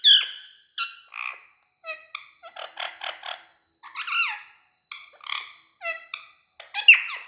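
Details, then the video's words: A parrot gives a run of harsh, squawky chatter and sharp shrieks, with short nasal notes in quick bursts. "parrot sound"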